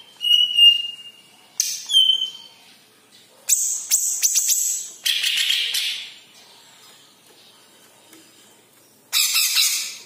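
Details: Green leafbird, yellow-headed, singing scattered phrases: a whistled note, shrill piercing tones, scratchy bursts and chatter, with quiet gaps between.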